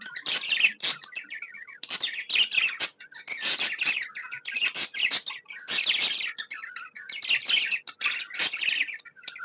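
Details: Happy budgie chattering nonstop: long runs of buzzy, scratchy warbles and high chirps, repeated in phrases of about two seconds, interspersed with short whistled notes.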